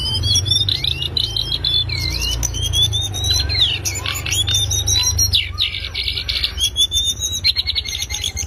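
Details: Loud fast chatter of a lesser shortwing, used as a master track for training songbirds: a run of sliding whistled notes and high buzzy trills, jumbled and rapid, over a droning low hum.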